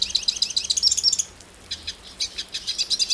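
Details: Brazilian hooded siskin singing: a high sparkling run of twitters, a brief pause, then quick clipped chirps resuming at a steady pace.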